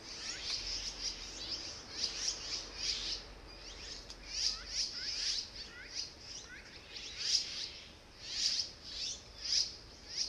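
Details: Azure-winged magpie chicks, excited and close to fledging, greet parents returning with food after a long wait: a rapid chorus of high, thin, squeaky calls repeated in bursts about every half second, with a woman's voice at the end.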